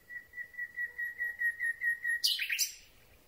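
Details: Common Nightingale singing close to the microphone at night. A series of about ten pure, evenly pulsed whistled notes on one pitch swells in loudness, then breaks into a harsh, loud churring flourish.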